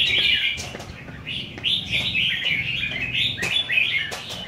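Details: At a singing competition, red-whiskered bulbuls trade bursts of lively, slurred warbling notes, while men talk nearby.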